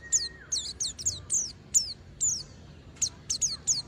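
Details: Oriental white-eye song of high, thin downslurred whistles repeated in quick bursts, with a faint flat lower tone at the start.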